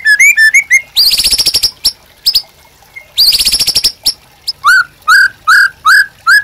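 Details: White-rumped shama in captivity singing hard, a master song for training birds: clear whistles broken by two long harsh rasping bursts, then a series of loud rising whistled notes spaced evenly.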